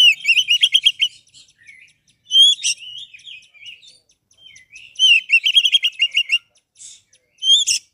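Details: Active kacer, the Oriental magpie-robin, singing rapid rattling runs of rising whistled notes, loud upslurs and softer chattering fill-in phrases, recorded as a master song for encouraging a bird that has gone quiet.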